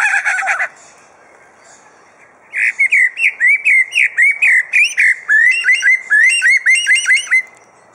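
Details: At Adelaide Zoo, a captive superb lyrebird reels off mimicked sounds: a short harsh burst, a pause, then a steady run of about twenty looping whistled notes repeated roughly every quarter second.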